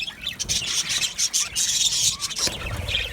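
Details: Budgerigars in an aviary colony: dense, overlapping high chirps and squawky twitters run almost continuously, with brief sharp pauses and a faint low rumble beneath.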